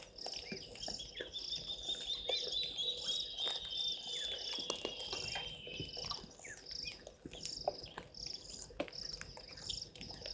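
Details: White-faced whistling ducks at a waterhole, Gowrie dam on Djuma Game Reserve, Sabi Sand, South Africa, filmed by a live camera at 17:52 on 02/12/2023; thin high whistles overlap, drawn out over about four seconds and slowly falling, above steady insect chirring and scattered bird chirps.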